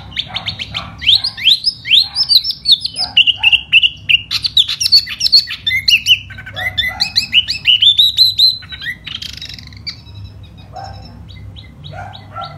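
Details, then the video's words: Sustained spring song from a displaying laughingthrush, a varied, almost continuous stream of rising and falling whistles and quick warbles, easing into softer, spaced notes near the end. "chú tiểu mi hót xoè rất hay"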